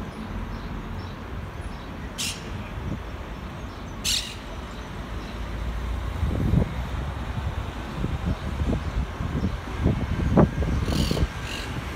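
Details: Steady low traffic rumble with sharp air-brake hisses and a few dull knocks; no clear animal calls stand out.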